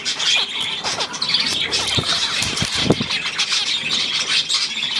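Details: Chattering budgerigars, recorded 9 February 2024: busy high chirps and scratchy squawks from several birds overlap, with a few dull knocks or thumps around the middle.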